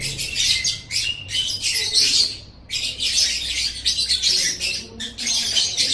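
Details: Masteran song of a lovebird, for building a pet bird's singing: continuous shrill, raspy twittering with fast squeaks, one clear pause midway, then more rapid chatter.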